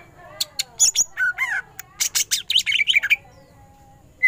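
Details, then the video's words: Ngentrok-style song from a greater green leafbird: a rapid jumble of harsh chatters, rising and falling whistles and buzzy notes. It ends in quick warbled twitters, then a brief silence before one last note. "Cucak ijo gacor full tembakan ngentrok"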